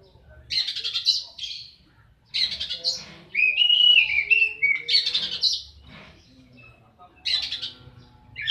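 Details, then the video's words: Oriental magpie-robin in a fight, giving bursts of harsh, buzzy notes at intervals, with a long wavering whistle in the middle and further scratchy phrases. "Suara burung Kacer tarung"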